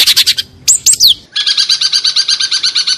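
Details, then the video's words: Long-tailed shrike delivering 'tembakan' song: a fast chatter, two piercing falling whistles, then a steady, rapid trill of repeated buzzy notes, about six per second. "Masteran Cendet Tembakan Unik"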